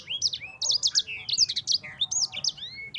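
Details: Rolling sanger song meant to coax other birds into singing: a quick, tumbling run of piercing high chirps, slurred whistles and short rising notes, almost without a break, with a soft background drone.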